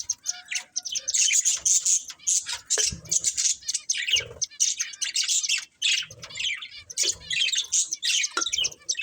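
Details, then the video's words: Budgerigar breeding pair chattering continuously, with fast buzzy warbles and scratchy chirps mixed with occasional short squawks. "Cute Budgies Chirping Sounds"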